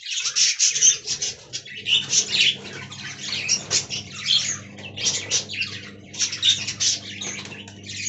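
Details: Aviary budgerigars said to be talking, giving a continuous stream of rapid, gritty chirps and warbled squeaks in pulsing bursts, with a constant low mechanical hum behind.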